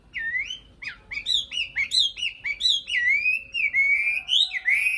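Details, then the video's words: Nightingale song: loud, varied whistled phrases that slur up and down, delivered in a quick, almost continuous flowing stream of rich notes. "Nightingale Song"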